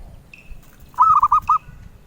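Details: Collectors' favourite zebra dove cooing melodiously, a single phrase of five mellow, rounded notes, the last slightly separated, with low rumbling background noise.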